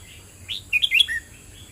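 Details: Red-whiskered bulbul singing a brief phrase of quick, liquid warbled whistles that jump up and down in pitch and end on a clear falling note, over a faint low background hum.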